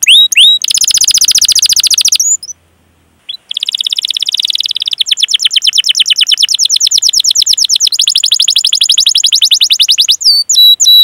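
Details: Long-singing canary with a rolling 'cuit cuit' song used as a lure for other canaries: extended fast buzzy trills changing speed and pitch, a short gap, more rolling trills, and a few sweeping whistles at the end.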